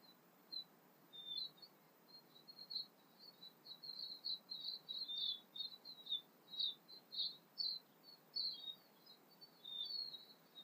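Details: Early morning south Pacific sunrise chorus with a Tūī among other singing birds: a dense, continuous run of high, twittering and chirping notes, rising and falling quickly, with louder bursts every second or so.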